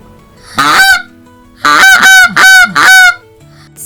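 A domestic gander gives loud, nasal honks: one call, then three more in quick succession.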